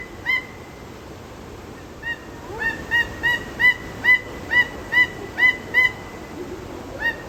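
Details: Peruvian thick-knee call series starting with scattered single notes, then building into a steady run of about ten loud, ringing piped notes spaced under half a second apart, ending with a couple of isolated notes.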